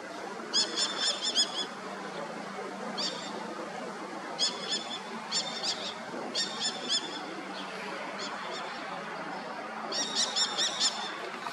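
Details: Common kestrel begging calls in Berlin's Komponistenviertel near the Bäkeschule: high, harsh, rapidly stuttered notes in short bursts, repeated every second or two, over a steady rushing background noise.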